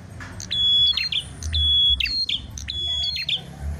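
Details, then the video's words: Red prinia, known locally as prenjak klawu, competing in song: three loud high whistles, each held briefly then broken into a rapid chipping flourish, with a low hum beneath. "PRENJAK MERAH GACOR TARUNG"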